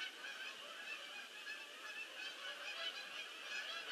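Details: Many geese landing on 22 October 2015, a brief burst of continuous, overlapping honking from the whole flock, steady and dense from start to finish.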